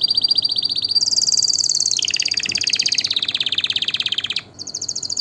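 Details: Canary singing, a song meant for tutoring young birds and arousing mates: quick pulsed trills jump to a bright high buzz, then a long series of fast descending notes before a brief pause and a final high trill.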